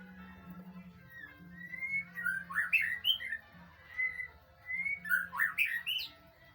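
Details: Training recording of white-rumped shama song to get a reply: gliding whistles build into rich, fast warbled flourishes, twice, with a droning low hum throughout.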